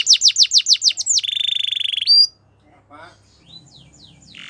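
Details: Belgian canary singing in the morning: a quick run of sharp falling notes and a buzzy roll, followed by near silence with faint soft sounds.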